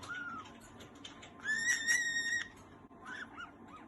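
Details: Pet green-cheeked conure chatting and squealing, a sign of contentment, relaxing or play: a short arched call, then a loud, drawn-out harmonic squeal lasting about a second, followed by three quick chirps.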